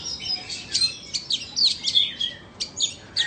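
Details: Song contest between Oriental magpie-robins from Vietnam and Indonesia. Short, separate bursts of sharp whistles and chirps come about every quarter to half second, each phrase clearly spaced.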